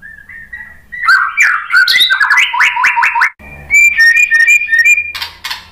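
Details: White-rumped shama (murai batu) song used as a lure to make other shamas answer and sing: clear whistled notes lead into rapid loud buzzy trills repeated in quick runs, then ringing whistles and a sharp high flourish.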